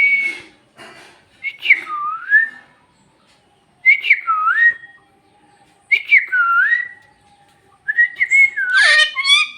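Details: Bhojpuri-talking parrot mixing buzzy, noisy syllables with smooth whistles that dip and rise, phrases every two seconds or so, ending in a rough harmonic squawk.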